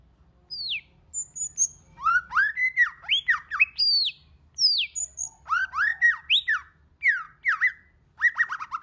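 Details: Varied song of a white-rumped shama, many voices mixed: quick runs of rich, looping whistles, some soaring high then dropping steeply, packed closely together with occasional short gaps.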